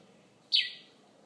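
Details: Bird calling in the morning outside a bedroom window in Conakry: one sharp chirp sweeping down from high to lower pitch, over quiet background hiss.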